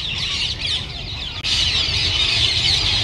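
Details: Rose-ringed parakeets, an estimated 1,000 birds from escaped pets, gather into their roost in urban Japan in winter. Unbroken wall of harsh squawks and screeches, a brief dip midway, with low traffic rumble beneath.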